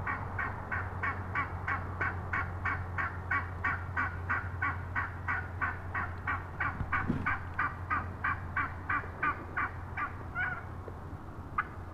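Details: Wild turkey hen heard up close on March 22, 2017, calling in a long, rhythmic series of short notes roughly three per second over a steady low rumble of background noise.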